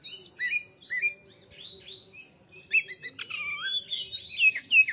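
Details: Caged greater green leafbird delivering a varied song of short whistles and chirps, a quiet pause, then a burst of looping, descending whistled notes and sharp clicks.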